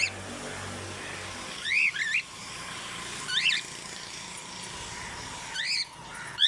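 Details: A 30-year-old African grey parrot at the Knoxville Zoo does impressions: three spaced bursts of squeaky rising-falling chirps over a noisy hissing background.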